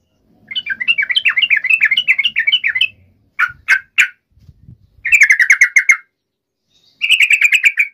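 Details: Yellow-vented bulbul singing vigorously as a lure to call a rival into answering immediately: a long run of bubbly, rapid chattering notes, three sharp single notes, then two short bursts of buzzy, pulsed chatter.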